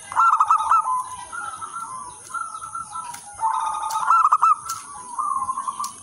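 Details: Several local zebra doves cooing energetically to entice and tutor others of their kind: quick bubbling runs of short notes alternate with longer smooth coos, voices overlapping, and a faint clicking and steady hiss behind.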